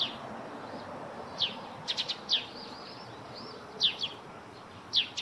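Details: High, sharp, slurred chirps from a Eurasian tree sparrow near its roof nest, some single and some in rapid pairs or threes, with gentle steady background noise.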